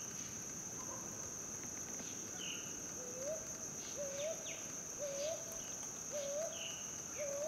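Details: Brown hawk-owl calling from a treetop: a series of soft, rising two-part hoots repeated about once a second, five notes in the second half, over a steady high insect whine and cricket chirps.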